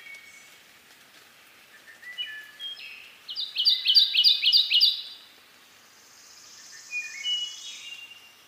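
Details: Kentucky warbler singing in the foreground in eastern North America: a rolling run of about six quick, ringing two-note phrases lasting under two seconds, with fluty Wood Thrush phrases softer in the background before and after.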